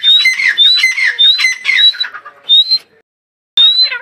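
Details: Female grey francolin, associated with fighting: a run of harsh, squawking calls, each a high, slightly rising shrill note with a rough lower tail, about eight in quick succession, then a pause and another burst.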